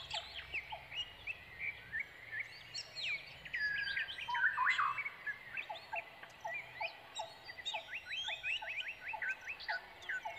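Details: Brown Prinia chicks begging as they wait for their parent to return with food; high chirps and brief tweets repeat in quick bursts, swelling louder and denser near the middle, with lower short notes ticking regularly behind them.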